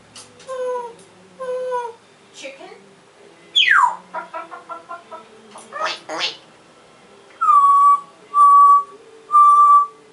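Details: African grey parrot making varied sounds: two paired tonal notes, a falling whistle, a rapid run of clicks, then three loud, even, level whistles, each about half a second long and spaced about a second apart.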